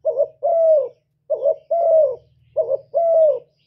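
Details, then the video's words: Gù cooing from a spotted dove kept as a decoy. Three evenly spaced phrases, each a brief wavering double note and then a long smooth coo, with a soft low hum in the background. "Chim Cu Gáy Mồi gáy gù cực chất, kích mồi kích bổi cực chuẩn"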